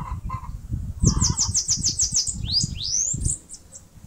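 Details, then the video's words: Bananaquit singing while building a nest in a mandacaru cactus in Brazil's Northeast: a quick run of thin, very high hissing notes, then a few sharply rising, sweeping notes over low rumbling background noise. "CANTO do CAGA-SEBO (SIBITE, CHUPA CAJU..)"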